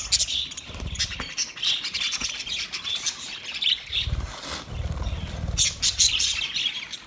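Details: Budgies on 29 February 2024 chattering in scratchy, high-pitched bursts with brief gaps, joined by short low thumps and bumps.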